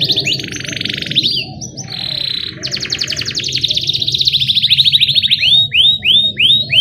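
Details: Canary singing nonstop in a rolling style with cheeping 'cuit cuit' notes, meant to coax young canaries into song: dense buzzy trills lead into fast rattling series, ending in clear rising-falling whistled sweeps, with low background hum.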